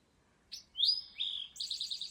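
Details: Male Eastern Towhee singing 'drink your tea' beside the Appalachian Trail; a short high note, two clear descending whistled tones, then a rapid trill of about eight repeated notes.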